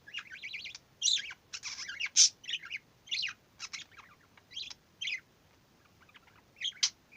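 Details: Pet male budgerigar, a double-factor dominant pied almost 11 years old, chattering: rapid, scratchy warbles and sharp chirps in quick bursts with short pauses, growing more subdued over time.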